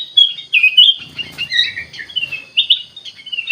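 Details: Bulbul (kutilang emas) giving a fluid stretch of song: smooth whistled slurs and chirps flowing almost without pause, some notes gliding downward.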